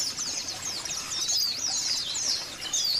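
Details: Song of a caged white-eye, played to encourage caged birds to sing: a quiet, high-pitched stream of thin twittering chirps over a steady background hiss.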